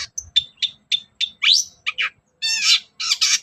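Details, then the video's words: Long-tailed shrike singing in the morning, used as a lure to provoke other shrikes to sing: short whistled notes repeated quickly, then harsher buzzy, layered chattering phrases toward the end. "SUARA PANCINGAN BURUNG CENDET GACOR PAGI HARI"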